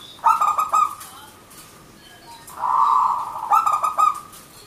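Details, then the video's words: Perkutut, the zebra dove, in manggung song. A quick run of pulsed coos leads into a long, smooth, sustained note, then another burst of fast stuttered coos follows. "Perkutut Manggung Gacor Gayer 100% lokal alam pikat merbok Turtledoves Zebradove"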